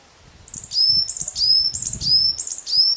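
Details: Varied tit song, a steady series of five high two-part notes, each a bright upper note sliding down into a lower drawn-out whistle, spaced about half a second apart, with soft low thumps underneath.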